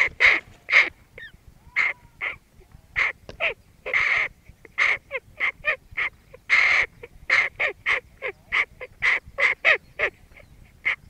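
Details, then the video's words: A hooded crow gives harsh, grating caws in a quick, uneven series, about two per second, with no other sounds. "Hooded Crow sound"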